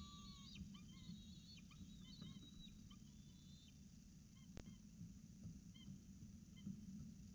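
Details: Peregrine falcons at a nest in Orange, CSU, on 26 October 2019 around 7:07 am, as the male brings breakfast and the female feeds the chicks; a series of thin, harmonic, slightly rising squealing calls over a steady low rumble.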